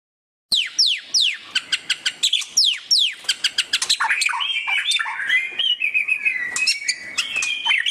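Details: White-rumped shama, loud ngeriwik chattering style for tutoring captive birds: steep descending whistled sweeps open, then rapid clicking notes and a busy warbling chatter of mixed whistles.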